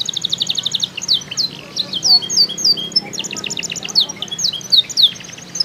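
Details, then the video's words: Canary in Pemalang, Central Java, Indonesia, singing continuous high rolling trills and quick repeated chips interspersed with swooping whistles, faint low hum throughout. "Bukan Sembarang Kenari"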